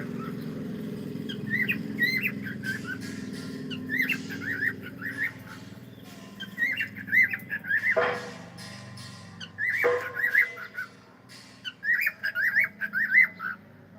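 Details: Pet cockatiel says hello in a run of warbled, squeaky chattering bursts, with two sharp clicks or knocks midway and a low background hum indoors.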